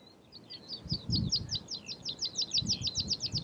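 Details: Meadow pipit of the nominate subspecies, Anthus pratensis pratensis, at Uitkerkse Polder, Belgium, in April 2019: a fast run of thin, high, sharp notes that speed up into a steady chatter, with low rumbling noise beneath.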